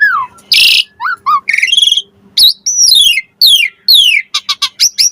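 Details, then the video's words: Varied Asian pied starling song intended to provoke replies: a loud harsh rasp, descending whistles, a trilled buzzy phrase, then repeated sweeping downslurred whistles and fast high chips near the end. "Suara Jalak Suren Pancingan AMPUH Full Isian Variasi Agar Burung Jalak Auto NYAUT Cepat Gacor Isian"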